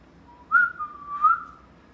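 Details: Pet parrot whistling: a soft low lead-in note, then a wavering mid-pitched whistle with two swells, lasting about a second in a quiet setting.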